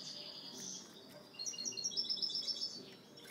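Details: High twittering and tinkling calls from weaned young European goldfinches, one of four held in captivity, quieter at first, then a quick run of bright, sharp chirps forming a rapid trill, with faint hiss behind.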